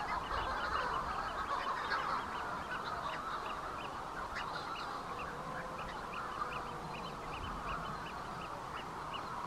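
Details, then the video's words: Near the bird observatory on Bardsey Island, Manx shearwaters fill the air with harsh, crowing cackles from many birds at once, a steady overlapping din with short higher notes repeated throughout. "The Sound of Manx Shearwaters"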